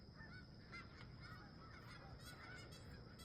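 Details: At sunrise near a camp, wild geese honk in a lively overlapping chorus, with short sharp calls bursting out every fraction of a second above a low steady rumble.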